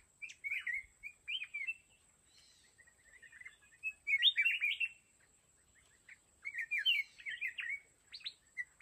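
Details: Mountain red-whiskered bulbul used as a decoy in a fighting trap: short, bubbly whistled phrases and quick liquid warbles in bursts every second or two, over a faint steady high-pitched whine.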